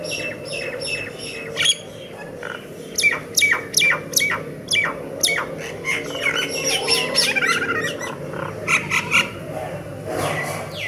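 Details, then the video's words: Myna song with a varied jumble of clicks, sharp chips and squawky notes, some in rapid bursts, others spaced irregularly across ten seconds, with steady low background noise. "myna bird song / myna bird sound /mynah bird singing"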